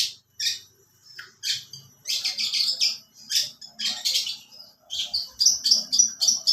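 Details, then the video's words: Long-tailed shrike rendering lovebird song: quick chips at first, then sustained rasping, chattering squawks in dense bursts, ending in rapid repeated shrill notes. "Burung pentet isian burung love bird"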